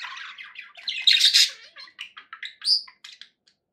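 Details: Pet budgerigar chatter played to keep other budgies company: a run of buzzy, squawky warbles that peaks loudly midway, then breaks into short chirps and one rising whistle before fading into silence.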